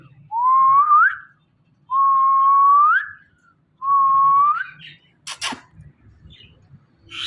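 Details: Pet talking Indian ringneck parakeet whistles three times, each note steady and then curling upward, spaced about every one and a half seconds, followed by a brief scratchy noise.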